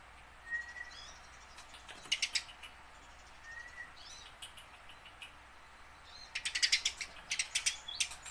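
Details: House sparrow, tame and learning to sing, used to stir wild-caught sparrows into song; a thin level whistle twice, brief chirp bursts, then a dense rattling run of chirps near the end.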